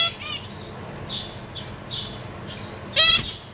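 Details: On 14 April 2023, a pair of zebra finches feed their young in a cage; soft high wavering cheeps run on, ending in one loud nasal, harmonic-rich beep.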